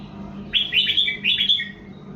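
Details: Red-whiskered bulbul song recorded in 2024 as a model for young birds to copy: a short bright phrase of warbled, slurred whistled notes in two quick bursts, with a steady low hum underneath.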